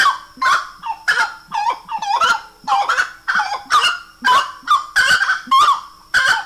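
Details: Slaty-breasted wood rail song: loud, harsh, honking notes with a rich harmonic tone, delivered in a rapid run of about two per second that overlaps into a rollicking chorus.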